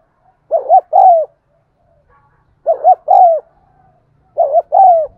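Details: Spotted dove, cooing meant to trigger caged birds to coo. Three regular phrases about two seconds apart, each a quick two-part hoot followed by a longer coo that sinks in pitch.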